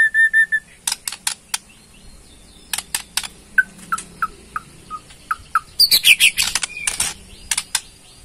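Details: Bornean white-rumped shama giving ketrekan: a short steady whistle, loud dry clicks, a sequence of soft short whistled notes about every half second, then a burst of high chatter and more ticks.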